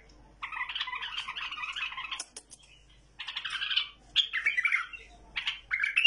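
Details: Tamed bulbul delivering a long, rolling, chattering warble, then a quiet gap, followed by more gurgling, fluty phrases and a final rising note.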